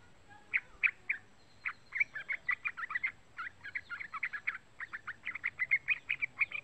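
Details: A young Yellow-vented Bulbul, about 3 months old and learning to sing, gives a run of short, bubbly chattering notes, several per second, in bursts with brief pauses; quiet background.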